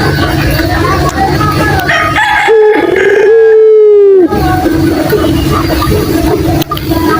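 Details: Ringneck dove (puter) calling as bait audio to make other doves answer: one short rising note, then a long steady coo that dips at the end, over constant background noise.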